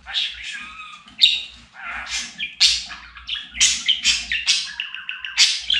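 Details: A domestic budgerigar, kept as a talking bird, runs through a scratchy warbling stream of chirps, squawky bursts and short whistled phrases, steady and lively throughout.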